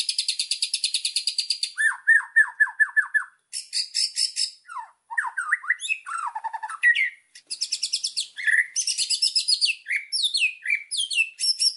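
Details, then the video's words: White-rumped shama song used as a master recording for training birds, full of varied fill phrases: rapid buzzy high trills alternate with series of clear descending whistled notes, chattering bursts and swooping slurs, delivered almost without pause. "MASTERAN MURAI BATU GACOR !!! FULL ISIAN LANGSUNG EMOSI !"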